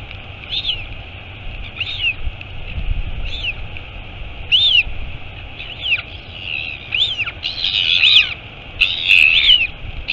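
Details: High arched notes, each rising then falling, spaced about a second apart and growing louder and busier toward the end. Royal albatross nest at Taiaroa Head near Dunedin, New Zealand, mother arriving, live camera, 23 August 2022.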